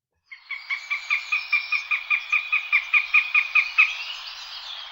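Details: Northern goshawk call, presented as a sound that jays imitate: a harsh, nasal cackle of about fifteen rapid, evenly spaced notes at roughly four per second, steady in pitch, over a quiet background.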